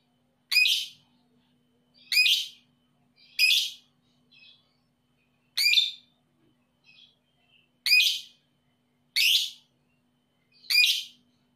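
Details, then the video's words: Sharp, piercing single chirps from a young lovebird, repeated seven times at roughly one-and-a-half-second intervals with a few faint softer notes between. Recording used to provoke reluctant lovebirds into calling. "PANCINGAN LOVEBIRD PAUD EMOSI"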